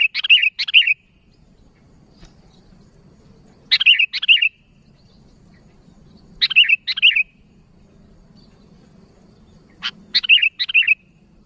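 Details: Sooty-headed bulbul calling for companions: a sharp click followed by two quick looping chirps, repeated about every three seconds, four times, with a faint low background hum between.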